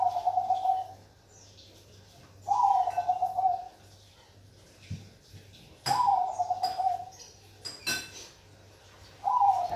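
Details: Bangkok perkutut, a zebra dove, repeating its purring, warbled coo phrase four times at intervals of about three seconds, with a few sharp clicks and knocks between phrases.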